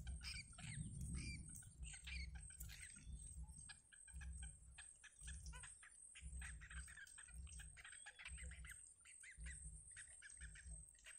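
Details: Wild yellow bittern nestlings calling while their mother spits out food for them: dense clusters of brief scratchy chirps, several at once, with rhythmic low thumping throughout and a faint high whine behind.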